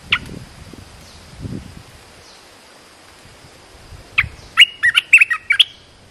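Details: Caged decoy red-whiskered bulbul luring a wild bird: a lone chirp, a pause with faint low thuds, then a fast cluster of lively warbled, up-and-down whistled notes near the end.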